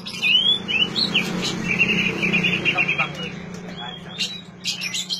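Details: Oriental magpie-robin song, used to coax silent magpie-robins into singing: sweeping whistled notes and a buzzy chattering run, over a steady low hum and faint background noise.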